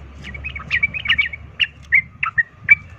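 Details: Sooty-headed bulbul 'ropel tarung' fighting song used to stir other bulbuls into fighting; quick run of slurred chirps followed by spaced, clear bright notes, over a faint low hum.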